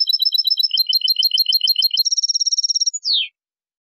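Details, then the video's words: European goldfinch song in the Mazagan school style, compiled so breeders can tutor their birds: rapid clean trills of high twittering notes, then an even buzzing rattle, closing with one descending slurred note, in total silence. "Canto Del Jilguero Limpio Dorado"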